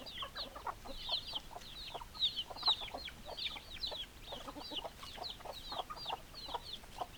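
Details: Chickens clucking loudly at close range, with bursts of clucks and high, hooked peeps repeated about twice a second, rising and falling in intensity.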